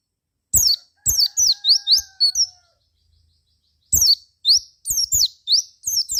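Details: Javan white-eye lure song to set other white-eyes singing: rapid runs of high, sharp down-slurred chirps and rising notes, a faint steady whistle beneath, a brief pause, then another quick series.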